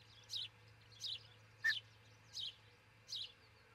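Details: Osprey at its nest near Charlo, Montana, filmed by a nest camera before dawn on June 22, 2018: five high, falling chirps about 0.7 seconds apart, one with a brief clear whistle beneath it, over a low hum.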